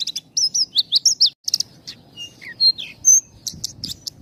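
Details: Javan bush lark song with short, tight pauses, used to stimulate untrained and half-trained birds: high chirps and whistled notes, some sliding up and down, in quick bursts, a brief silence near 1.3 seconds, then varied whistles and rattles.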